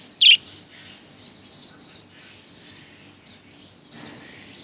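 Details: Lone budgerigar in a Motijheel office building, tenth floor, after arriving around noon: one sharp, loud high chirp at the start, then quieter rapid twittering chatter running on.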